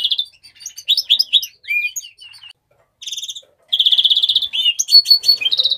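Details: Mexican rosefinch song in a quick, jumbled warble of high chirps and slurred notes, a short pause, then a loud rattling trill followed by sharp varied whistled notes.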